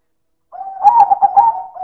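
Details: Perkutut silver, a zebra dove, giving one loud manggung phrase: a low mellow coo breaking into a quick stuttered series of notes and settling into a steady held tone, in a quiet setting.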